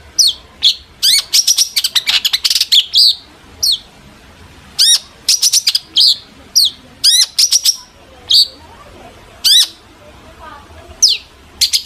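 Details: Long-tailed shrike singing emotionally to provoke other shrikes into replying. Bursts of rapid, piercing high clicks and downward-sweeping notes come in clusters, separated by short silent gaps, with faint background hiss.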